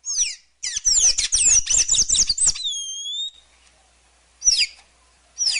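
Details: Sayaca tanager (Thraupis sayaca) delivering a dense, squeaky, rapidly twittered phrase of slurred high notes for about two seconds, then a drawn-out thin whistle and single sharp downslurred calls.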